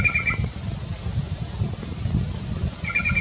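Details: Black-chested jay recorded in Colombia, giving brief grating, nasal calls at the start and again at the end, separated by a gap filled with low rumbling background noise.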